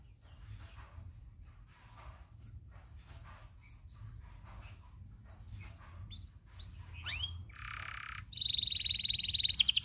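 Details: Local loper canary tutor song, long-rolling style, starting soft with scattered chirps, then sweeping whistles, a brief low buzz and a loud fast high trill closing the passage.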